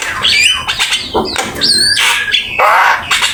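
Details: Javan myna in full, vigorous song used as a master recording for training other birds: harsh squawks mixed with short whistled notes and rising slurred phrases, dense and continuous.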